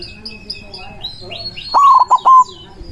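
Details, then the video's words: Loud manggung phrase from a white zebra dove calling rivals, a lure for catching doves: one quick run of three or four soft, rolling coos that follows light chirping from other small birds. "PERKUTUT PUTIH GACOR SUARA BESAR AMPUH MEMANGGIL LAWAN BUNYI MANGGUNG"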